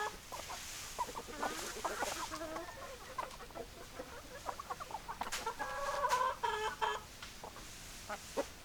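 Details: Domestic chickens, hens clucking and roosters crowing: busy overlapping clucks about two or three per second, a stretched harmonic call around the sixth second, and sharp knocks scattered through.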